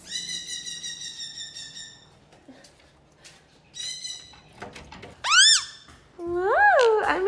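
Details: A pet conure screams loudly indoors, harsh screeches rising and falling in sharp arcs with a few steadier whistled notes and some voices; conures scream like this when really excited, such as when owners get home.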